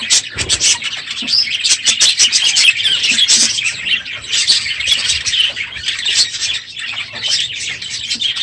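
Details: A crowded aviary of budgerigars, noisy in the morning at the end of the breeding season, fills the air with dense overlapping chirps and warbles, high and scratchy, with soft wing flutters underneath.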